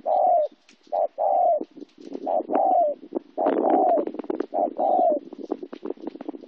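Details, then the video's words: Cooing spotted dove in Kon Tum, Vietnam, 26 January 2016: steady run of paired low coos, a short note leading into a longer falling one, repeated roughly once a second over continuous rattling and clattering background noise. "cu gay phuong quy"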